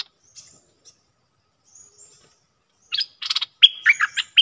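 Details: Captive decoy bulbul calling to lure a rival into a fight, recorded 31 December 2021; after nearly three seconds of faint high wisps, a burst of loud, bubbly, chattering notes tumbles out rapidly, with a few sharp rising whistles at the end.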